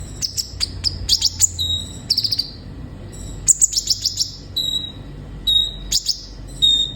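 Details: Olive-backed sunbird singing vigorously, played as therapy to stir captive birds into song: quick bursts of sharp, very high chirps alternating with thin level whistles, separated by short pauses.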